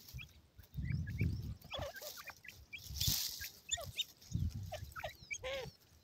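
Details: White grey francolin chicks, kept captive, playing with feed: short thin peeps rising and falling, scattered and overlapping from several chicks, some double notes near the end, with low thumping and rustling handling noise underneath.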